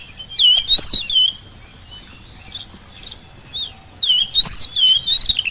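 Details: Spirited Oriental magpie-robin song used as a lure so sluggish birds reply fast: a burst of clear bending whistles, a softer pause of faint notes, then another lively run of whistled phrases.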